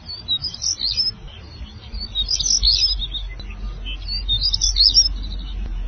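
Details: An African stonechat gives three high, squeaky, twittering phrases about two seconds apart over steady low rumbling noise.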